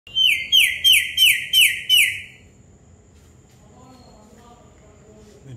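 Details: Indian ringneck parakeet on a rainy day giving six loud, shrill calls in a quick even series, each sliding downward, over about two seconds, then falling quiet with faint low background noise.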